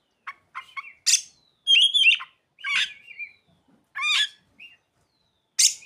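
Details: Kacer, or Oriental magpie-robin, in song with imitated ciblek and sogon phrases: loud harsh, buzzy bursts mixed with whistled and trilled notes, delivered in separate bursts about a second apart with no other sounds.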